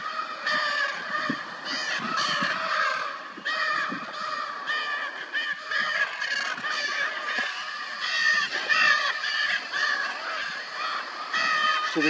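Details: Wild Lear's macaws, endemic to Brazil, calling around a mating pair on the cliffs: continuous harsh, raspy squawks overlapping from several birds, with loud bursts throughout.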